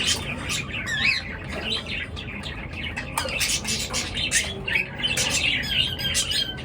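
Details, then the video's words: Birds chirping busily in the morning: wavering, rising and falling chirps early on, then a dense, overlapping chatter of sharp high notes, over a low rumbling background. "পাখির কিচির মিচির ডাকে সকাল বেলার ঘুম ভাঙা"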